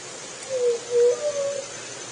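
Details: Juriti dove song, one soft three-note phrase: a falling coo, a steady coo, and a longer, slightly higher final coo over faint hiss.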